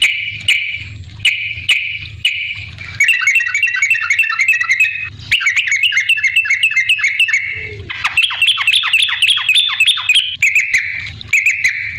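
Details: Yellow-vented bulbul in full song as a lure for other bulbuls: chattering trilled phrases, then fast rippling note series and a descending string of sharp notes near the end, with clicks in the background.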